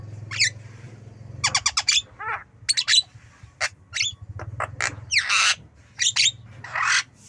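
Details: Javan myna giving a varied stream of rasping squawks, quick clicks and short down-slurred whistled notes, packed closely together, with a low background hum early on.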